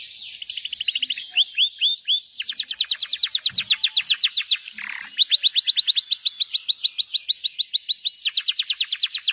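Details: Canary singing a fast rolling song: long trills of rapid, evenly repeated chirps, with pitch stepping up and down between phrases and one brief pause midway before a higher, bright trill resumes.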